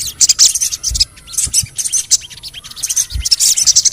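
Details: Sogon chirping as a lure for other sogon birds: loud, high-pitched rapid twittering chirps in repeated bursts, with a short lull midway and occasional low knocks.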